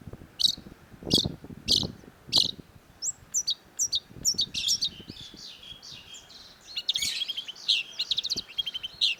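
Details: Long-tailed shrike (cendet) song opens with four loud, sharp, high notes at even intervals. It then breaks into a fast, varied chatter of chips, trills and buzzy notes.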